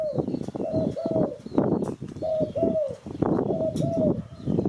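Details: Spotted dove cooing, a recording used as a lure for bird catching: soft paired coo notes repeated about every second, each pair slightly falling, over a constant crackly, clicking background.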